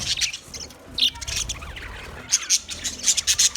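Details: Budgie sounds: soft scratchy warbling that rises into a run of bright, quick chirps near the end.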